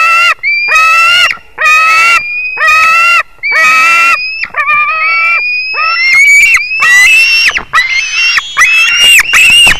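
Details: White-tailed eagle on 21 July 2019 at 22:10: loud, ringing, harsh yelps repeated roughly once a second, holding a steady pitch at first, then turning quicker and more uneven, with thin high whistles running beneath.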